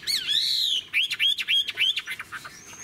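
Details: An old wild-caught Chinese hwamei with a leaf-shaped tail, kept caged, sings loud, clear whistled phrases: a long sliding note, then a quick run of rising and falling slurred whistles.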